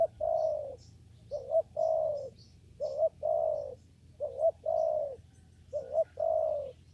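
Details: Repeated spotted dove coos from a papaya garden during trapping with a lure: each phrase a quick two-part coo followed by a longer, even, falling note, about every one and a half seconds, with faint distant chirps.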